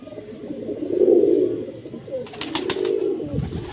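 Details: Breeder pigeon making a long, humming coo that swells and fades, then a second softer coo. Sharp clicks sound between them.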